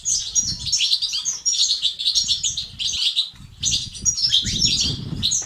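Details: Goldfinch twittering in the 'bitbita' and 'sts' styles, played to encourage male goldfinches to become active and sing: rapid, tinkling high notes in bursts, a short gap near three seconds, low background rumble.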